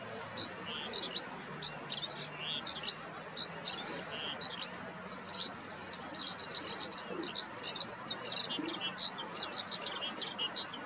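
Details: Morning song of a Eurasian skylark at a garden plot beside Yanagishima Sports Park, recorded 15 May 2021 with a Nikon COOLPIX P1000: unbroken, fast, high warbling with varied chirps and slurred whistles, steady throughout.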